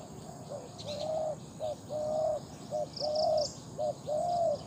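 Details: Captive decoy spotted dove with a big voice giving its cooing call: clipped short notes alternating with longer level hoots in a steady rhythm, and brief high chirps from other small birds nearby.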